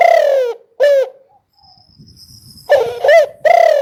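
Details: Spotted dove coos, a long mellow note and a shorter one, then after a quiet stretch with faint low rumbling, another quick burst of throaty coos.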